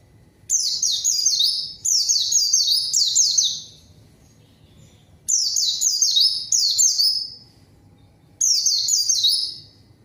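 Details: Three bright outbursts of white-eye song, each a quick cascade of high descending whistles lasting a couple of seconds, with quiet spells between. Sung to lure and answer rivals.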